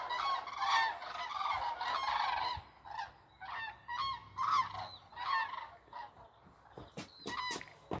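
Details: A flying flock of geese, dark against the sunlight, honking: overlapping nasal calls with a strong harmonic ring in bursts of about half a second, densest at the start and thinning out; a country road is in the background.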